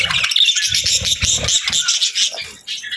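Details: Several pet budgerigars (Melopsittacus undulatus) chatter in dense, overlapping high chirps and warbles with no pauses, with faint low rumbling beneath.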